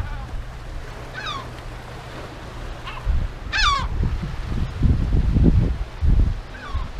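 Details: Yellow-legged gull colony on the Illas Estelas, Galicia, gulls defending nesting ground with scattered harsh descending calls, one loud near cry among fainter distant ones, and heavy wind rumble throughout.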